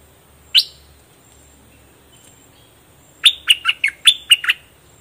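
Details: A single sharp chirp, a pause of over two seconds, then a rapid burst of seven clear descending whistled notes from a fully feathered bulbul (nok dok taeng) singing its doubled style.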